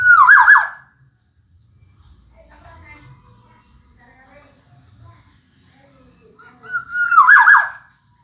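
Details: Kepodang emas, the Black-naped oriole, singing in gacor style: a rich fluted whistle with a rough ending at the start, a quiet stretch of faint chatter, then the same loud whistled phrase again near the end.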